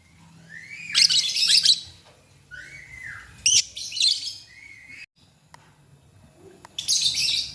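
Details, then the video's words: Morning lovebirds calling back and forth: loud, scratchy, high chirp clusters alternating with short rising whistled notes, a brief pause, then another shrill burst of chatter, over a faint low hum. "SUARA BURUNG LOVEBIRD PAGI HARI. 2 DETIK LANGSUNG BERSAHUTAN"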